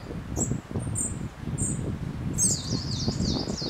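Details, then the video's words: A spotted flycatcher sings at Hardcastle Crags, giving a few thin, very high squeaky notes, then a quick wavering string of sharp chirps, over steady wind and rustling leaves. "Spotted Flycatcher Singing"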